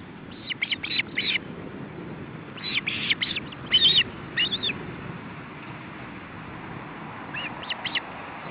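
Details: Male osprey at the nest with his chicks during a feeding attempt in July 2012: short, sharp whistled chirps in quick bursts of three to four, with pauses between groups, over a steady background hiss.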